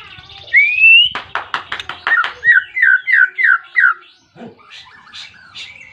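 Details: White-rumped shama singing insistently to challenge a rival; a long rising whistle, a string of hard clicking strokes, then five evenly spaced downslurred whistles, ending in soft scattered chirps.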